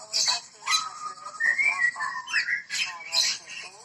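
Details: White-rumped shama of the Medan type giving rising and falling whistles linked into a smooth phrase, mixed with harsher high notes and a constant high-pitched buzz behind.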